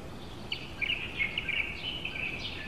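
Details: Rapid, continuous chatter of sharp high notes from a female Asian koel recorded in Tainan, Taiwan, with broad background noise beneath.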